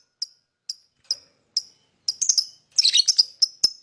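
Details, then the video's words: Four evenly spaced thin, high lovebird chirps, followed by quickening harsh chatter and a flurry of overlapping shrill notes. "lovebird singing & chirping sound"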